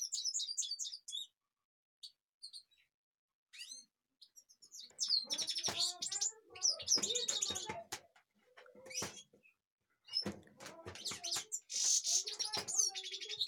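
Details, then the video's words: Goldfinch in Kashmir starting with a few isolated high chirps, then bursting into dense, buzzy twittering phrases with rapid trills, repeated several times over the recording, accompanied by sharp clicks. "Goldfinch kashmir"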